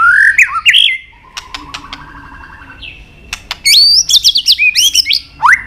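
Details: White-rumped shama singing a training song of many forest voices with clicking tack notes: rising whistles, a soft rapid trill in the middle, then a loud burst of high looping whistles.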